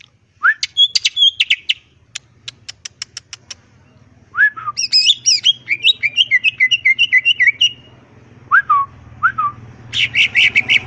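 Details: Wild greater green leafbird song packed with varied phrases, used as a lure to make other birds respond: upslurred whistles, rapid ticks, a long rippling warbled trill, and more rising whistles, with low background hum.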